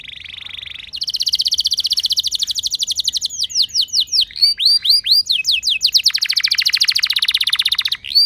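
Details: Canary song played as a lure to prompt other canaries to sing: a steady high buzzy trill, then fast rolling chains of down-slurred whistled notes and rapid repeated phrases, switching tempo every second or two, with no other sounds.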